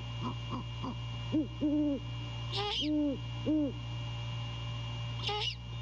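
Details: Male great horned owl calling at the nest to his mate before courting and mating, 2:27 AM, 15 January 2022: a few quick soft notes, then four deep level hoots and two high squeals, low hum throughout.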